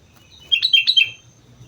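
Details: Sooty-headed bulbul in energetic song on Mount Slamet, one short cheerful phrase of about five bubbly whistled notes alternating up and down.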